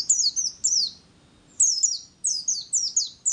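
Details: White-eye lure song in zipper and wir wit style: bursts of very high, sweeping, downward-sliding chirps in quick pairs and triplets, separated by short pauses, in an otherwise quiet recording.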